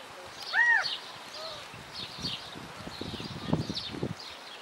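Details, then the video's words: California quail in Wanganui, New Zealand: one loud, arched, clear note rising then falling, followed by a faint softer echo of it, over background chirps of other birds and footsteps or rustling. "California Quail or McPherson quail in Wanganui, New Zealand"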